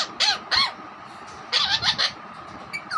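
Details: Pet Alexandrine parakeet (raw parrot) imitating a hen, whistling and saying words. Two sharp rasping squawks come first, then a cluster of three quicker harsh notes after a pause, with a faint thin whistle at the end.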